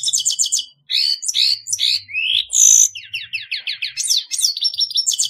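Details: Grey-headed goldfinch in continuous song: dense, high twittering, quick repeated chirps, buzzy slurs and downward-sweeping notes tumbling together without pause.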